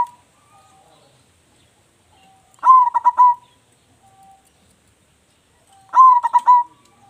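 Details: Local zebra dove, a loud-voiced bird kept as a lure: two bursts of rapid stuttering cooing notes near the same low pitch, each about half a second long, separated by a quiet gap of three seconds.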